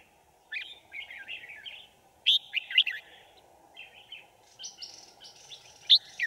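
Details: Caged decoy red-whiskered bulbul singing to draw wild birds into a trap on 5 January 2018: bursts of quick, bright warbled phrases with sharp accented notes, separated by brief pauses, over a constant low hum.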